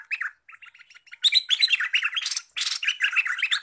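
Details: Olive-winged bulbul, freshly caught by trapping and now in full song: quick chattering notes, sparse at first, then a thick stream of warbled chirps interrupted by short harsh rasps.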